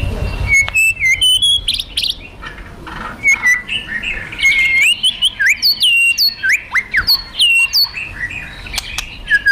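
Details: White-rumped shama, a fighter bird, singing to stir aggression: high, clear whistles and looping up-and-down slurs in rapid varied phrases, with many short, bright notes and occasional sharp clicks.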